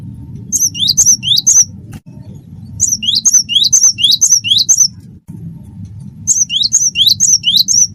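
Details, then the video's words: Cinereous tit (gelatik batu, wingko type) singing actively, used as a tutor recording to prompt singing: three bursts of two-note phrases, a high whistle then a rising sweep, about two per second, with pauses, over a low background rumble. "gelatik batu wingko gacor"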